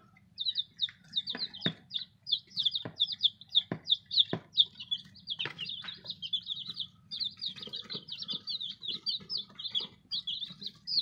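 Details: Baby chicks, newly arrived: many high, rapid peeps overlapping in a continuous cheeping chorus, with scattered soft knocks and rustles beneath.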